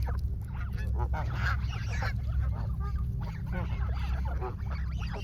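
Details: Canada geese flock in Canada advancing on a person with wings spread, honking loudly; a busy chorus of nasal, clipped honks from many birds, bursts overlapping, over low steady rumble.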